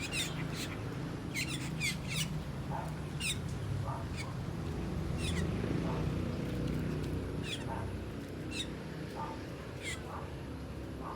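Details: Asian glossy starlings calling while eating ripe papaya, a run of sharp high chips and short squeaky downslurs spaced irregularly, with lower soft notes and a continuous low hum.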